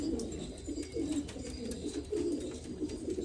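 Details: Black pigeons of an Afghan breed, Afghanistan, produce dense low cooing, short throaty warbles overlapping from more than one bird, loud and continuous through the brief stretch.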